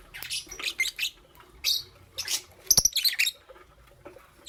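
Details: Lovebirds, a green Fischer's and a pastel blue, chirping in the morning: bursts of harsh, broadband chirps in quick clusters, a pause, then a denser run of sharp, scratchy notes, with no other clear sounds.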